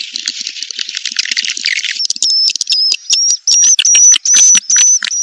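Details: Edible-nest swiftlet mating call for attracting birds to a nest house. Busy high-pitched twittering first, then a string of short, clear, level whistles, each with crackly chirps, repeated about two to three times a second.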